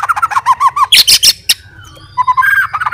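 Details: Fighter white-rumped shama singing to stir up rivals: a rapid string of looping mid-pitched notes, a burst of loud harsh chips, a pause, then steady repeated whistled notes; low hum underneath.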